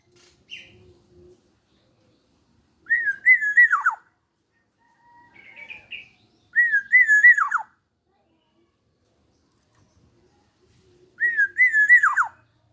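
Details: Vocal black-naped oriole aged 21 years repeating the same rich, liquid whistled phrase three times, about every four seconds. Each phrase is a wavering fluty note dropping into quick downward slurs, with softer twittery notes between.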